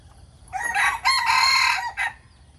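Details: A decoy rooster crowing in the morning: one loud, close, hoarse crow of three parts, a short opening note, a long sustained middle and a clipped final note.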